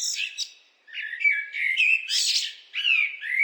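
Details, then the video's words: A blackbird sings a brief pause-broken run of fluty, warbled notes, interrupted by a loud, rough, high twittering burst near the middle and followed by more mellow whistles. "What do blackbirds sound like?"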